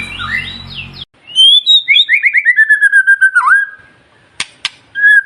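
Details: Magpie-robin song meant to prompt a kept bird to sing: after a brief noisy start, a fast series of clipped whistled notes slides downward, then a long steady whistle with a few sharp clicks.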